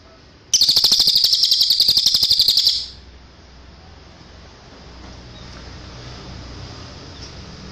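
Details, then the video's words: Cililin song meant for birds to copy: a single two-second burst of a piercing, rapidly pulsed trill, then several seconds of low background hiss. "MASTERAN CILILIN suara asli jernih"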